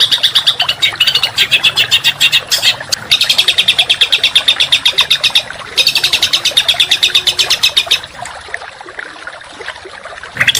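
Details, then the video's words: Rapid, coarse masteran song for contest songbirds. Long bursts of high rattling trills repeat with brief breaks, and the song ends in quieter scattered notes over low hiss. "Masteran Burung Kicau Tembakan Rapat dan Kasar"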